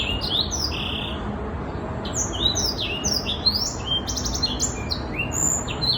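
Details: A six-month-old young black-throated canary (Crithagra atrogularis) sings a fast, varied run of high whistles, sweet slurred notes and quick trills, with steady low background noise.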